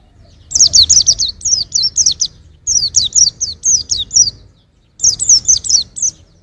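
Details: White-eye song for training songbirds: rapid series of high, sharp, descending whistled notes in three bursts, each burst of about five to eight quick chirps separated by short pauses.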